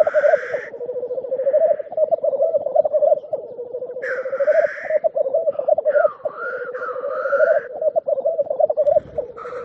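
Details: Black grouse at a lek give a continuous low, bubbling, dove-like warble, broken every few seconds by harsh, hissing sneezes.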